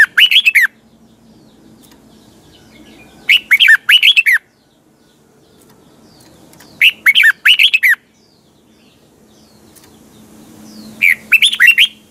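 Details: Caged red-whiskered bulbul singing in the morning in a double, tightly twisting voice used to train and excite other birds: four short bursts of warbled, rising and falling whistled notes, repeated about every three and a half seconds, with quiet gaps.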